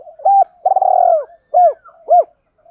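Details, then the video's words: Spotted dove, a decoy bird giving gáy gọi calling coos and thúc urging notes to lure and excite wild doves: short arched coos around a longer, slightly rough, drawn-out coo, then two clean rising-falling notes, in quiet surroundings. "Tieng chim cu gáy mồi gáy gọi vs thúc dùng tập bổi mới"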